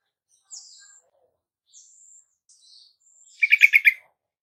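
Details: Yellow-vented bulbul, from a lure recording for reluctant caged birds. Several thin, high, sliding whistles come first, spaced out and quiet, then a loud short burst of five bubbly, gurgling bulbul notes closes it.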